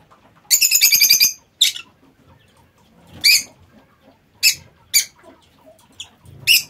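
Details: Aviary lovebirds opening with a long rapid burst of harsh, pulsed screeching chatter, followed by single sharp shrill screeches spaced about a second apart; low rustling between calls.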